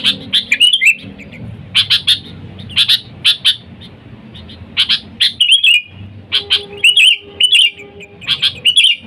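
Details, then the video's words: Sooty-headed bulbul calling to attract wild companions, used for luring: runs of crisp high chirps give way to fluid, looping whistled notes, with a steady faint hum below. "Suara Dasar Burung Kutilang Gacor Memanggil TEMAN LIAR, Suara Bagus untuk pikat Kutilang & pancingan"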